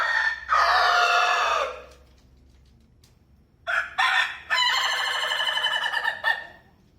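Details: Two rooster crows, part of a set of different crowing sounds: a long harsh crow first, a pause, then another crow with two short lead-in notes and a long quavering tail of nearly two seconds.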